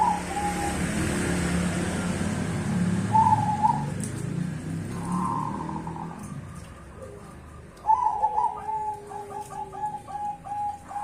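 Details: Zebra dove of the cemani bangkok type, in full song and used as a lure to set silent birds singing again: mid-pitched cooing notes with trilled, bubbling phrases late in the clip, over a steady low rumble.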